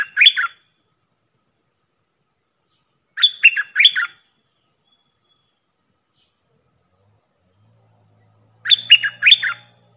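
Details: Puff-throated bulbul calling as a decoy for training young birds; short bursts of three rapid, harsh, falling notes repeat roughly every three to four seconds against silence, with a faint low hum late on.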